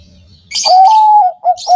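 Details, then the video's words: Bangkok zebra dove, used to prompt caged doves to sing: a single long, smooth coo followed by two short coos, with high chirps from another bird. "pancingan perkutut bangkok gacor yang akan bikin perkutut anda langsung bunyi"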